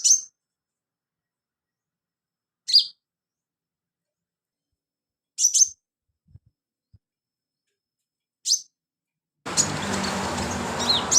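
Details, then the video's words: Sunbird singing, offered as filler song for training birds: single sharp, high chirps spaced two to three seconds apart, ending with a burst of loud, broadband rustling noise. "BURUNG KOLIBRI/CONIN GACOR buat isian"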